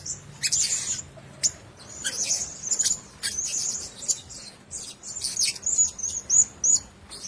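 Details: Blue-crowned hanging parrots sharing one cage give very high, thin whistled notes mixed with short buzzy, hissing bursts, coming in irregular clusters roughly every half second to second throughout.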